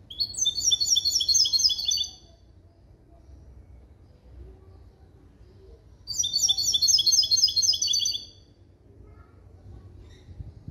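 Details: Hybrid of a male European goldfinch and a female canary, trained in a clean limpio song built from basic goldfinch limpio calls, recorded in 2021: two bursts of rapid, high, sharply repeated trilled notes, each about two seconds long, separated by a quiet gap.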